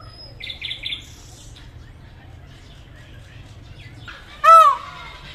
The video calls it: peacock call